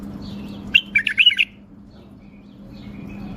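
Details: A tame male bulbul in Baghdad, Iraq, gives one short, rich warbled phrase of about five quick notes, then falls quiet. A constant low electrical hum runs underneath.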